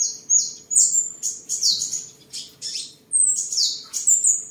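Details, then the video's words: Singing, displaying and sparring on 23 July 2022, a tame seven-colour sunbird from Đồng Nai, Vietnam gives rapid runs of shrill, falling whistles mixed with buzzy high twitters, almost continuous, with a low background hum. "Chim Hút Mật 7 Màu Thuần Ngày 23/7/2022 Hót, Múa, Đấu Đá"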